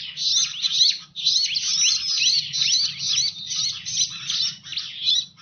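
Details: Lure sound of the Bar-winged prinia for drawing in birds: dense, high twittering of quick chirps and slurred notes, a brief pause near one second, then steady chattering with a low background hum.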